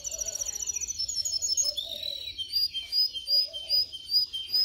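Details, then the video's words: Canary song used for training canaries to sing: rapid high rolling trills that shift into a series of sweeping whistled notes, with a faint lower warble underneath. "Canary training 0.25 Hour canario canary song"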